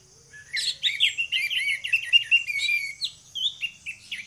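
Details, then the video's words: Morning song of two orange-headed thrushes, a dense phrase of quick warbled whistles around one steady pitch, then a few separate short slurred notes trailing off. "DUO ANIS MERAH NGEPLONG GACOR"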